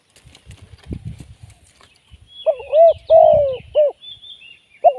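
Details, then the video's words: Live decoy spotted dove for trapping. Low thumps and rustling come first, then one resonant three-part coo phrase, with light chirping from other birds above it. Another phrase starts right at the end. "เสียงนกเขาใหญ่ ต่อสด"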